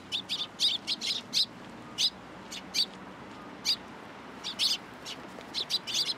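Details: Sharp, high-pitched chirping from sparrows landing on a hand to be fed at a Tenmangu shrine on 14 April 2023. The single and paired tweets come irregularly, with brief pauses between clusters.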